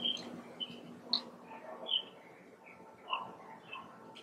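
A greater necklaced laughingthrush gives brief, sharp, high chirps, spaced irregularly about every half second, over a soft steady hum.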